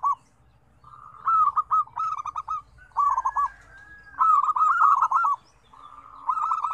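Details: Zebra doves heard as a lively combination of five different tones. Stuttering coo phrases of quick repeated notes overlap and follow each other after a quiet start, with a drawn-out coo in between and faint chirps from other birds.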